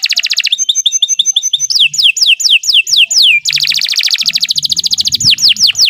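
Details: Canary singing a long training song: a buzzy trill, chattering double notes, falling whistled slurs, then a long rapid rolling trill closing with more descending slurs.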